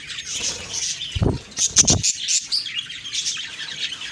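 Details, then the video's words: Morning chatter of budgies, recorded October 2, 2023: busy high twittering throughout, broken by a couple of louder low thumps or bumps near the middle, then squeaky chirps resuming. "Beautiful morning birds chirping sounds/Budgie sounds"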